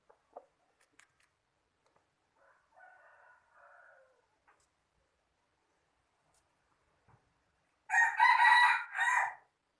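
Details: A chicken gives a loud, harsh harmonic crow in two bursts near the end, after quiet scattered clicks and a faint murmur earlier on.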